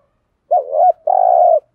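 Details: A spotted dove gives two low, hollow coos, a short wavering note then a longer, steadier, slightly burred one, with nothing else heard.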